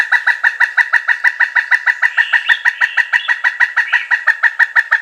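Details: Pileated woodpecker calling a loud, rhythmic kuk-kuk-kuk run, notes evenly spaced at about three per second and steady in strength for five seconds.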